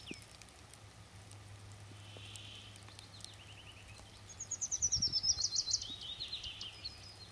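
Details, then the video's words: June woodlark song recorded at Murmansk: a short trill of quick notes, then a bright cascade of rapid, liquid, descending whistles, followed by softer repeated notes, with faint low hum and outdoor background noise. "Солирует лесной жворонок."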